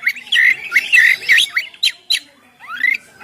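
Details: Oriental magpie-robin (kacer) singing in the loud, open ngeplong style, used to lure birds and set them singing; bright whistled phrases near mid-high pitch with harsh buzzy bursts, ending in a rising whistled slur.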